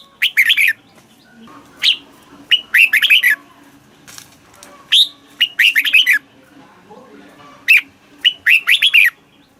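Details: Caged Red-whiskered bulbul in Thailand, song used to excite other caged birds and teach young birds, in a southern master-song style: short bursts of three to five slurred whistled notes every two seconds or so, with a low steady hum beneath.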